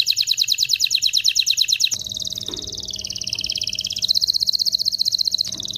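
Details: Excited canary singing to prepare males and females for mating: a fast high trill shifts into a rolling, wavering warble, then into another dense trill, continuous and bright throughout.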